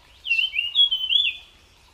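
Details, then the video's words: Melodious song of a wild jungle flycatcher (tledekan): a short, clear, high whistled phrase of four or five slurred notes that dip and rise, sweet and fluid, over quiet background. "𝗞𝗶𝗰𝗮𝘂 𝗕𝘂𝗿𝘂𝗻𝗴 𝗧𝗹𝗲𝗱𝗲𝗸𝗮𝗻 𝗠𝗲𝗿𝗱𝘂 𝗝𝘂𝗻𝗴𝗹𝗲 𝗙𝗹𝘆𝗰𝗮𝘁𝗰𝗵𝗲𝗿 𝗔𝗹𝗮𝗺 𝗟𝗶𝗮𝗿"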